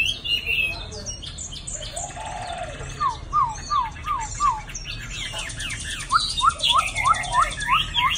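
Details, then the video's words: Caged Chinese hwamei, a male in its second moulting season, singing a varied song: buzzy notes and short rising whistles repeated in a series of six, then a second run of rising whistles, with a faint voice nearby. "Hoạ mi cb09d gần 2 mùa"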